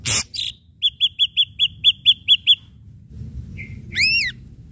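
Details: Energetic ashy drongo on a pancingan track of sharp strikes: a harsh burst opens a rapid, even series of about ten short clipped whistles, followed after a pause by a bright arched whistle.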